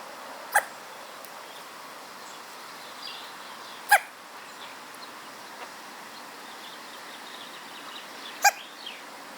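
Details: Hooded crow fledgling, a wild city bird, hiccuping: three short, sharp hiccup sounds spaced several seconds apart over a steady background hiss, with faint distant chirps in between.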